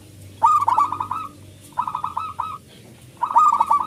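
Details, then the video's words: A local zebra dove with a big voice sings as a lure for other doves: three short bursts of fast, bubbling coos, each run of about eight notes, with quiet pauses between. "perkutut lokal gacor suara besar pancingan super ampuh 100 % di jamin ikut manggung"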